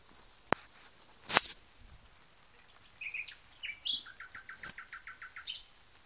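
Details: Nightingale song: two sharp clicks, then a run of short whistled and buzzy notes, ending in a fast series of about a dozen repeated high notes.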